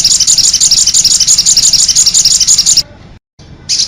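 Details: Crimson sunbird singing cit anten, a brisk series of sharp high chips around three per second that breaks off, leaving a brief silence before the notes resume.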